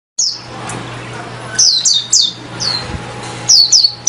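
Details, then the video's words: An oriental white-eye singing loudly: very high, thin, down-slurred whistled notes, single and in quick pairs, spaced irregularly over a steady low hum. "BURUNG PLECI TELER ABIS SUARANYA KENCENG"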